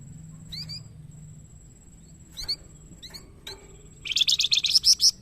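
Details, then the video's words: Young flamboyan singing actively, a master recording for training birds in Indonesia: sparse sharp chirps, then a loud rapid buzzy burst of about eight notes at the end, over a faint steady high-pitched hum. "GACOR ISTIMEWAH BURUNG MASTERAN FLAMBOYAN MUDA"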